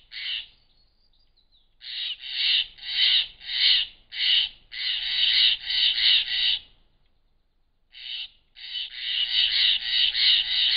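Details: Steller's jays in the Klamath Mountains in June 2017 mob a Barred Owl with harsh, rasping shack notes in quick runs, about one and a half per second, broken by brief pauses.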